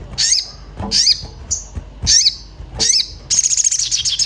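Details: Orange-bellied flowerpecker, worked up and searching for a mate, a lure call: five high, sharp chips with falling tails, then a rapid ticking buzzy trill to the end.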